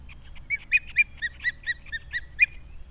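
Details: Loud, clear series of piercing whistled chirps from an osprey at its Captiva nest holding three chicks, February 2022, each note slurring downward and coming about four per second, with faint background hiss.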